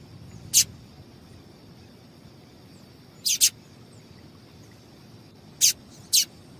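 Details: Female double-collared seedeater calling to excite males for singing tournaments: sparse, sharp, very high chips, single or paired, spaced two to three seconds apart against a quiet background hum.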